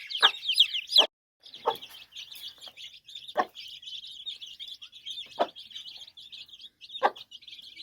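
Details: Chicks peep continuously with high, thin chirps beside their mother hen, who gives a few short clucks spaced about a second or two apart.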